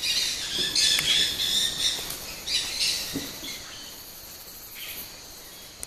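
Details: A flock of Dusky-headed parakeets arriving at a traditional clay lick on the bank of the Rio Arajuno, Napo, Ecuador, gives a dense chatter of shrill, scratchy screeches, heaviest over the first three seconds, then thinning to scattered calls.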